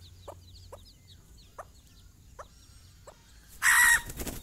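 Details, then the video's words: A hen calls her young chicks out for a morning walk: five spaced clucks with soft high chick peeps, then a sudden loud harsh burst of noise near the end. "mothers hen call her babys for morning walk"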